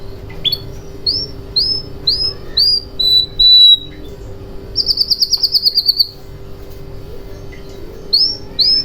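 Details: Canary song used as a lure to get silent canaries singing: high rising whistled notes repeated in a short series, a run of flat notes, then a fast buzzy rolled trill, with pauses between phrases over a low steady hum.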